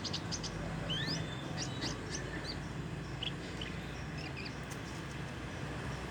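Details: Young Javan bush lark practising its song, not yet in full voice: scattered thin, rising whistled sweeps and short high chirps, sparse and unsteady, over a constant low hum and background noise.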